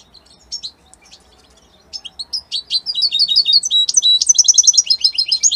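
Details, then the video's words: A European goldfinch of the Italian type begins with sparse single chirps, then builds into a loud, fast twittering song with rapid trilled runs toward the end; otherwise quiet. "من أقوى تغاريد طائر الحسون الجميلة الحسون ايطاليا"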